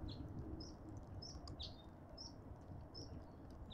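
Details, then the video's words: Cut-throat finches at a garden feeder in a suburban garden in Pretoria, South Africa: short high thin chirps repeated roughly every half second, faint over a steady low rumble of background noise. "Cut-throat finches rule"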